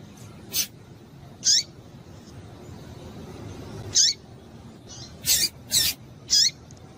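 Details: Female Double-collared seedeater calling to excite the male: short, sharp, high chirps, each dropping at the end, given singly or in quick pairs at irregular intervals over a faint low background hiss.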